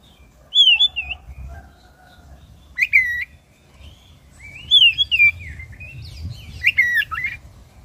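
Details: Oriental magpie-robin with black breast singing as a provoking lure for caged birds; looping whistled phrases and sharp clicks in separate bursts, with a soft lower whistle and a steady low hum beneath.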